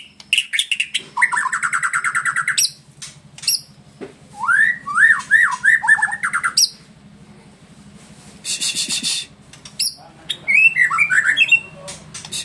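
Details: A prized, award-winning caged white-rumped shama sings a rich, varied song of whistled phrases, rising slurs and harsh buzzy bursts, changing pattern every second or two.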